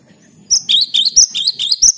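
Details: Cinereous tit in full, vigorous song, used to prompt silent birds to sing: after half a second of quiet, a fast run of about eight high, sharp two-part chirps rings out over a faint low hum.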